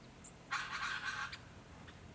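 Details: Little Lorikeets drawn to an artificial pond in the Capertee Valley, NSW, in mid September 2019: one harsh, buzzy, shrill screech lasting under a second, with faint high chips just before and after.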